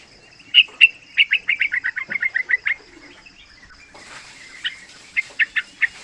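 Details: Three-month-old yellow-vented bulbul singing a rapid 'ropel' run: a quick string of about a dozen bubbly chirps, then a pause and a few scattered notes, with a constant thin high tone behind.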